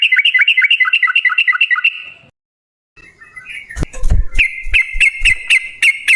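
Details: Yellow-vented bulbul lure song meant to make other bulbuls sing: a quick series of whistled notes, then a short silence, then more whistles mixed with loud knocking or thumping sounds.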